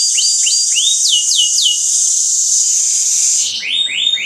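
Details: Canary training song from five birds: evenly spaced, clear downward-slurred whistles repeated about four times a second over a bright continuous trill, then a fresh series of swooping notes.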